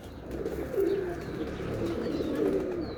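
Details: Short burst of pigeon cooing: two or three low throaty phrases over a soft murmur, with a faint high whistle-like chirp near the end.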